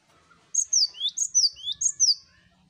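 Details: Cinereous tit, chorus-style master recording: three quick phrases of clear whistles, a sharp high note sliding down then a lower upswept note, over faint low background hum.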